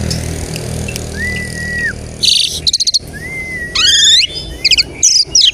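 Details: Song of an Asian pied starling, played to draw other starlings into song: two long flat whistles, bursts of fast clicking, a rising whistled sweep with layered overtones and harsh noisy notes.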